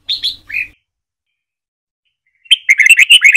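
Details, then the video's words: Training song of a Red-whiskered bulbul in the Trà My style. Two clear, sweet chirps open, followed after a long pause by a fast, loud burst of rolling, warbled notes. "Luyện Chào Mào Hót Giọng Trà My Cực Hay, Ép Má Trắng Học Giọng"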